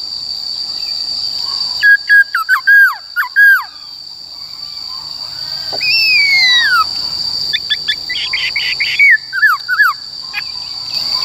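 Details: ['White-cheeked laughingthrush in forest-voice song for training birds: a cluster of sharp downslurred whistles, a long falling whistled slur after a gap, then more short notes, sparse overall with a continuous high whine and faint background hiss.']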